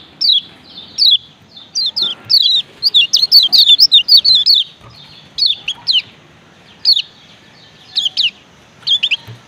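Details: Male lemon-bellied white-eye from Lombok giving 'ciak ciak' calls: sharp, high, downslurred chirps in pairs and short bursts, with a dense rapid run midway, then spaced doublets; quiet background.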